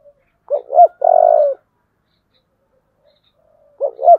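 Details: Spotted dove in the deep 'giọng thổ' voice style, calling to spur fighting. Two short rising coos run into a long, steady, slightly buzzy held note, then silence before the next phrase begins with the same rising coos.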